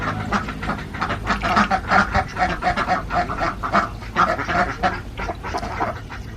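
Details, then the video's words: Many Alabio ducks, a Borneo breed farmed in central Java, call together in fast overlapping nasal quacks, rising and falling in loudness across the flock. "ENDEMIC BORNEO ALABIO DUCKS , CAN LAY EGG WITHOUT MATING , DUCKS SOUND"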